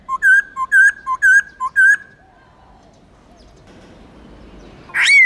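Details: Black-throated laughingthrush song played to train young birds in a wild voice. Five or six quick, clipped whistled couplets come in a fast row, then a pause and one sudden rising squeal.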